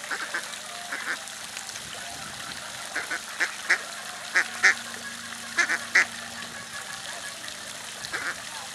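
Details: Two park Mallards recorded at Sint Pancras, Holland, 24 April 2011: a lively run of brief, raspy quacks, sometimes paired or in quick clusters, roughly one per second, over a constant low hum.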